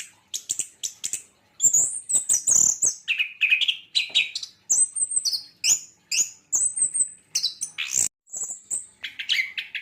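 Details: Javan white-eye pouring out a dense, fast warbling song of high whistles, chips and buzzy twitters with almost no pause over several seconds.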